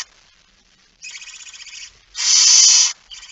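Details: Barn owl, a male bringing a mouse at night, 17 September 2019, 23:55: a rasping hiss followed by a louder, longer, very harsh breathy screech, then another short hiss starting.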